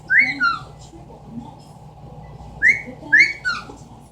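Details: Pet Amazon parrot indoors imitating sounds, giving short bright whistled notes that sweep up then fall, in pairs about half a second apart, one pair early and another after a two-second pause, over a low household hum.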